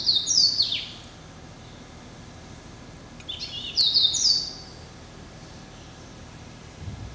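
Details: Hybrid of yellow-eyed canary and Timbrado, hatched in November 2012 and kept as a pet, delivering two rapid high-pitched trilling phrases separated by about three seconds of near silence.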